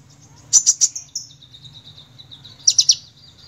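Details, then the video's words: Sunbird in lively song: two quick bursts of three piercing high chips, each followed by a thin, sustained high trill that drops slightly, with a faint low hum behind. "Kolibri Ninja Gacor"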